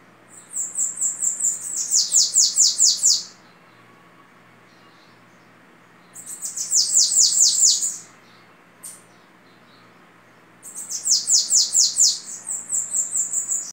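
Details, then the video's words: Bananaquit ('sibite babaçu') delivering its orderly 'belga'-style song: three phrases of rapid, very high, buzzy descending notes, each about two to three seconds long, separated by quiet gaps of roughly three seconds, with one faint isolated chirp between. "sibite babaçu cantando na cantoria de belga esse tem muita ordem"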